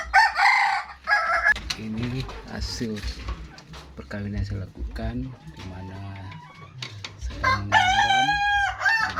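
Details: First-generation Kokok Balenggek rooster of West Sumatra, bred from a mating that produced seven eggs, crows in loud harmonic bursts at the start and a wavering, stepped crow near the end, with a man speaking in the middle.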